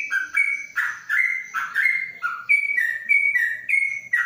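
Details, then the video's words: Caged yellow-vented bulbul inside a cage cover gives a long ropelan song of full, slightly burry whistles rising and dropping in a rolling rhythm, with a faint high tone behind. "Trucuk Ropelan Panjang dalam krojong"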